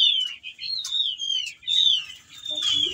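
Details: Whistling thrush singing while in breeding condition, calling a female: smooth whistled notes gliding downward, linked in a continuous high phrase with slight pauses, faint low background noise.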